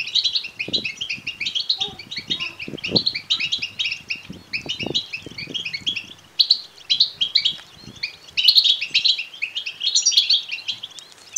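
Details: European goldfinch chicks begging, used to excite males to sing and mate: a long, dense stream of overlapping high twitters and chirps, with low taps and rustles in the first half.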